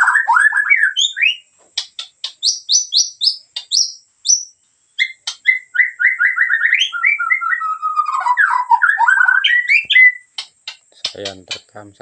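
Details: A Medan-type white-rumped shama in full gacor song: a rich, varied stream of whistles, rapid repeated high notes, sliding phrases and trills over twelve seconds, ending in a burst of clicking notes.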